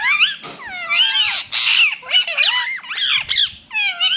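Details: Indian ringneck parrot kept as a talking pet, copying a meow: warbling, sliding nasal notes in rapid phrases, mixed with harsh, rasping squawks and brief scratchy noise, ending on a few falling whistled calls.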